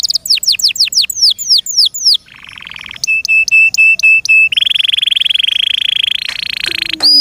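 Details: A kept canary sings a varied song: quick high swooping notes, then a buzzy trill, a row of clipped repeated notes, and a long, fast, steady rattle, closing with a lower whistle.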